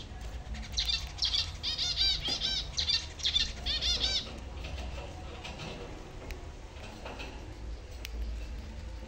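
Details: Zebra finches excited at eagerly awaited food give a rapid run of nasal, honking calls, then fall quieter amid wing flutters.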